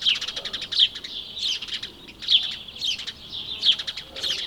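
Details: Close, bright chirps from house sparrows, with loud clipped notes coming in bursts roughly every second among rapid fluttery twittering.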